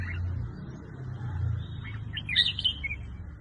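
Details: Red-whiskered bulbul singing: a short burst of bright, warbled chirping notes in the middle of the clip, over a steady low rumble of background noise.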